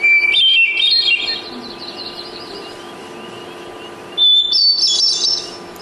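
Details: Hermit thrush (Catharus guttatus), song.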